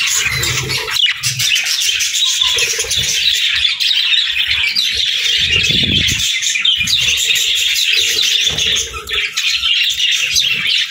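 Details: A group of budgies sings in continuous, busy warbling. High chirps and chatter overlap without pause, with occasional lower thuds and rustling beneath.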